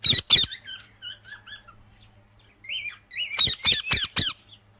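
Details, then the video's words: Parrot sounds from a ringneck: two harsh screeches open, then a string of soft chirps and slurred whistles. A fast burst of four or five piercing screeches, about four a second, follows. "Amazing Parrot Chirping Sounds"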